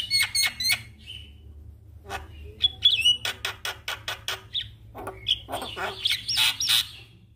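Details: Javan myna (jalak kebo), previously quiet, answering a lure recording: paired whistled notes, a series of sharp clicking bursts, then rising squealing whistles near the end over a soft hum.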